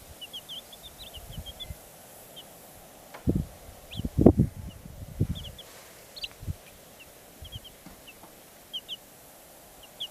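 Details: Black Cochin chicks peeping: thin, high, short chirps scattered throughout, with louder low thumps and rustling bursts in the middle.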